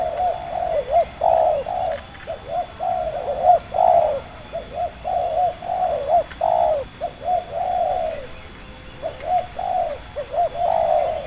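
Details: Local wild spotted dove with a medium voice in Indonesia, heard while being lured by a decoy bird for trapping. Arched coos run almost without pause and overlap, bursting in uneven groups throughout, with a steady high background hum.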